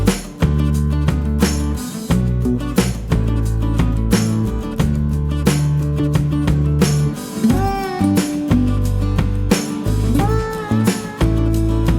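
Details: Only music is heard, with strummed guitar over steady low bass and no animal calls. Sliding melodic notes appear in the later part, but no bird or other animal voice comes through.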